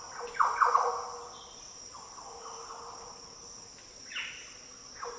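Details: A Green oriole in Australia's Daintree rainforest opens with a loud burst of liquid, bubbling fluty notes, followed by fainter phrases later, under a constant high insect drone.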